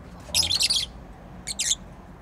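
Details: A pet bird gives two bursts of high, bright chirps, the first a cluster of rapid notes lasting about half a second, the second a shorter pair about a second later, over a soft steady background hiss.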